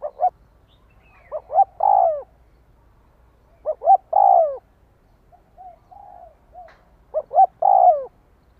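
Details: {'caption': 'Repeated spotted dove phrases used to provoke a decoy bird: two quick clipped notes lead into a long, falling coo, given three times, with soft low murmurs between the second and third phrases.'}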